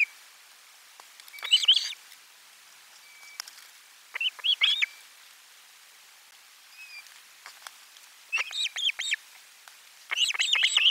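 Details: Fish delivery at lunchtime on a monitored Osprey nest, 12 July 2022. Scattered clusters of high, rasping whistled chirps come every two to three seconds, growing busier toward the end, with a faint thin tone between bursts.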